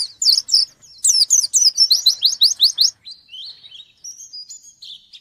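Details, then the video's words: Energetic white-eye song aimed at a rival, opening with a dense burst of fast, sharp descending chirps that fades into softer, thin high whistles. "Burung pleci gacor nyari lawan"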